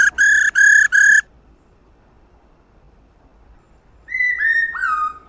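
A female laughingthrush gives three quick, rich, nasal notes, then after a pause a series of clear whistled notes that slide downward.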